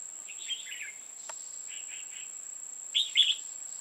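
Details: Red-whiskered bulbul heard during a trapping session on 5 October 2018 with female birds. Three brief phrases of quick, tumbling chirps, the middle one softer and the last loudest, are set against a constant thin high whine and one sharp click.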